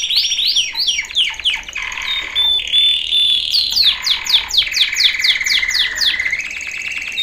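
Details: Male canary training song with loud, rapid trills at varied speeds, buzzy rolling tours and downslurred whistled notes repeated about twice a second, high-pitched throughout.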